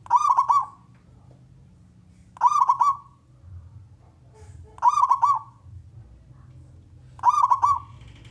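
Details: Male local wild zebra dove, a contest-type bird singing to lure other doves into calling, gives a stuttering, bubbly cooing phrase about every two and a half seconds, four phrases in all, against a low background hum.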